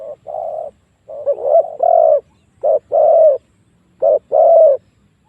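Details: Lure calling by a spotted dove meant to bring wild doves in to fight, with mellow low coos in short-then-long pairs and brief pauses between phrases.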